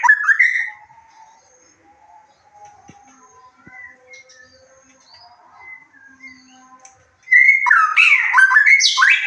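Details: White-rumped shama lure song meant to stir emotion and breeding urge so another bird replies and unloads its song: a loud whistled opening, a long stretch of soft scattered chirps and twitters, then an intense burst of varied whistles and rapid high trills.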